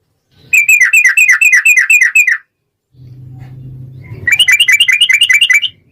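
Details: Yellow-vented bulbul in rapid 'ropel' song, used as a lure to trigger full singing: a fast chattering series of bright notes, a pause filled with a low steady hum, then another quick burst of the same notes.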